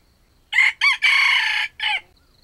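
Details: Bait jungle chicken used for trapping wild birds gives a crow in a young voice: a short harmonic note, a second quick note, then a longer sustained drawn-out phrase ending in a brief clipped final note, all in a quiet setting.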